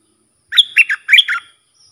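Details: Sooty-headed bulbul song for training hand-fed and young birds and for luring fierce wild birds. One short phrase of about five notes: a thin high whistle, then rich warbling notes dipping and rising, in a quiet background.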